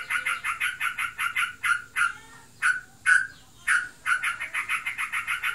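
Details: Kept sooty-headed bulbul described as in breeding condition and chattering nonstop (ngebren): rapid runs of harsh, buzzy notes, about four a second, broken by a few louder, drawn-out notes before the fast run resumes.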